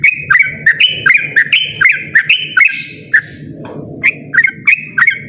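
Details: Yellow-vented bulbul in loud, insistent ropel song: fast, bubbly, rising notes repeated several times a second, interrupted by a short harsh rasping burst midway before the rapid notes resume, with a low background rumble.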